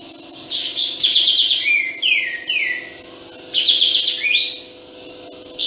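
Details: Sooty-headed bulbul in full, continuous song with its tail open, giving scratchy chattering bursts followed by two or three quick falling slurred whistles, with the phrase repeated after a short pause, against a steady background hum.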